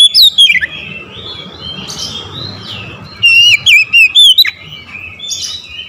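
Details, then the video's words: Morning song of an Oriental magpie-robin, two loud phrases of clear whistles that slide and warble between high notes, separated by quieter scratchy twittering. "OCEHAN KACER DI PAGI HARI"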